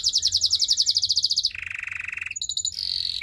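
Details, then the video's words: A Belgian singing canary delivers a rapid high pulsed trill for about one and a half seconds, then a lower rolling trill, then brief high notes, a song meant to draw other canaries. "A special canary to seduce all the canaries - The belgian singing canary"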